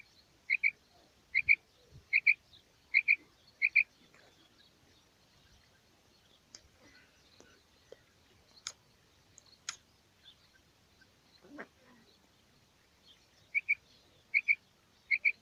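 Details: Calls of a female quail, a morning lure for hunters: bursts of paired sharp notes open and close the recording, with a quieter stretch of scattered clicks and faint rustling between them.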